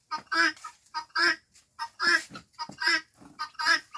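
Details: Five-month-old guineafowl producing a series of coarse, grating paired notes, short then drawn-out, about every 0.8 seconds, with extra softer rasping notes crowding between calls.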